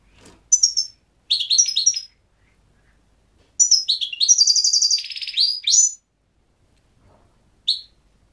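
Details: Goldfinch giving high, bright twittering phrases with buzzy trills, in separate bursts of one to two seconds with silent pauses between, ending with a single short note.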